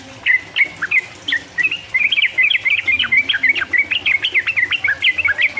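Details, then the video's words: Yellow-vented bulbul singing a fast 'uplik uplik' rambling song meant to stimulate rival birds; a few separate chirps, then a dense run of quick bright notes. "trucuk gacor ropel uplik uplik merangsang lawan"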